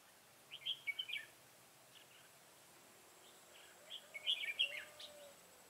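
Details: Decoy red-whiskered bulbul fighting in song near a trap to draw wild bulbuls, 25 September 2018; two bursts of rapid, lilting whistled notes about three seconds apart, with faint chirps between.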